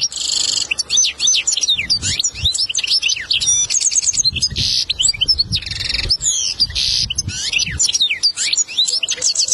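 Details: Continuous bright twittering song of a European goldfinch, used as a training recording for a young bird, mixing rapid high chirps, short trills and buzzy bursts throughout.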